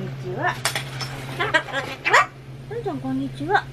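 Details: Solomons cockatoo at home vocalising against construction noise, short speech-like syllables with upward sweeps and a flat held tone, plus a few sharp clicking sounds and a steady low hum.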